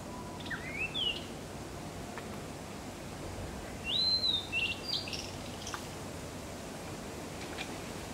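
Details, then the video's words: Blue-and-white flycatcher song: a few clear, slurred whistled phrases, rising then falling, spaced over several seconds and each ending in a short twitter, over a steady hiss of background noise. "オオルリ さえずり"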